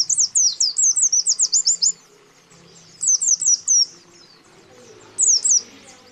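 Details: White-eyes, male and female, calling to a rival, used to lure wild white-eyes: rapid bursts of high, thin, down-slurred chirps. About nine notes run together in the first two seconds, then shorter bursts of three to four notes, with quiet pauses between.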